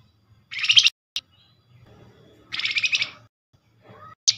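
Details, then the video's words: Flamboyan calling to lure other Flamboyan into answering: two harsh, buzzing chatter bursts about two seconds apart, with sharp single chips and a faint thin whistle between. "Flamboyan call nyerecet pancingan cepat paling direspon"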